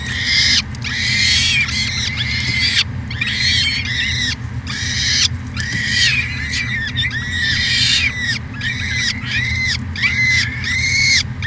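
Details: Edmonton, Canada, 2017 peregrine falcon nest cam at the University of Alberta: loud, grating wails repeated in quick succession, some overlapping, with brief gaps, and a continuous low hum behind.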